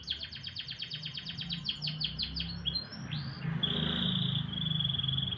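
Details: Morning canary song: a rapid train of sharp descending chirps, then a rising upslurred note leading into a long steady rolling trill, over a soft low hum.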